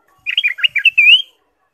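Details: Ruby-throated bulbul singing actively as a lure to stimulate caged birds: a bubbly, jerky warble of short notes ending in a long, clear, rising slurred whistle.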